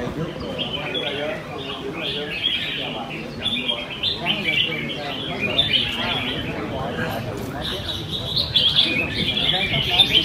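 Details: Competing red-whiskered bulbuls at a Sunday-morning contest in Quy Nhơn, Vietnam, 21 June 2020, deliver a dense stream of quick chirped and whistled notes that grows louder toward the end, over faint talking.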